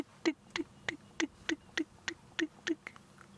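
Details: On a sunrise safari drive on 7 December 2016, a distant Diederik cuckoo gives a run of about ten short, sharp ticking notes, roughly three per second, steady and evenly spaced, with a quiet background.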